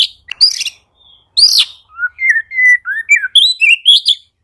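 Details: Caged Oriental magpie-robin singing to spur silent birds into song: a few sharp high notes, a pause, then a run of clear, varied whistled phrases, some falling and some rising, delivered one after another.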